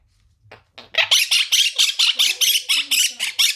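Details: Quaker parrot, a pet monk parakeet, screaming. After two faint soft notes it launches into a steady train of loud, harsh, buzzy squawks, about twelve in under three seconds, in rapid, insistent rhythm.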